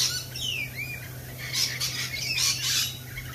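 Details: Lorikeets at a cafe: a swooping whistled note followed by loud, raspy squawks and screeches in quick bursts, over a low steady hum.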